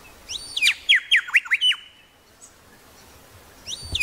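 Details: Grey shrike-thrush (Colluricincla harmonica) in Tasmania gives a quick run of about six loud, clear, musical notes dropping steeply in pitch, then repeats the phrase after a pause of about two seconds.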